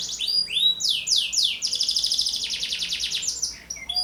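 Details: Canary in energetic full song, intended as a lure for young canaries and a tutor song for other birds: sweeping high whistled slurs, then a long rapid buzzy trill of repeated notes, ending with scattered chirps.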